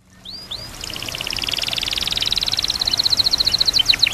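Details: White-rumped shama (murai batu) singing full isian as a training recording, mixed with nature sounds and trickling water: two rising slurred whistles, then a long, fast, high trill that gets steadily louder for about three seconds.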